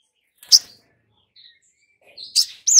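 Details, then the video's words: Long-billed spiderhunter lure to make a newly caught bird sing: two sharp, high chips separated by a pause, ending in a quick rising-and-falling slurred note. "Pancingan SOGON BAKALAN agar Cepat BUNYI dan GACOR || Pancingan Sogok Ontong agar NGOBRA"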